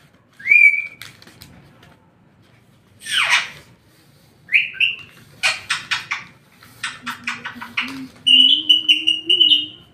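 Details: A parrot imitating a door bell gives whistled, bell-like notes, short rising whistles and rapid clicking bursts, ending in a long wavering whistle with a lower voiced tone beneath.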